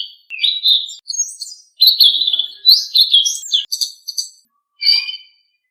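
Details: Training song of a blue-winged leafbird for caged birds: varied whistled phrases and chatters followed by sharp, clicky rattling notes near the end. The recording is clean with no other sounds.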